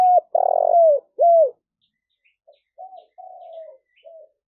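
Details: Spotted dove coo sequence meant to lure wild doves and spur them to call: a sharp coo, a long vibrating buzzy note, a curved coo, then softer trailing coos fading out.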